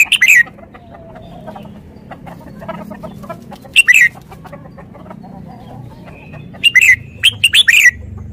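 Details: Red-whiskered bulbul giving bright, cheerful warbled phrases at irregular intervals, ending in a quick run of several notes, with light background clicks and hum.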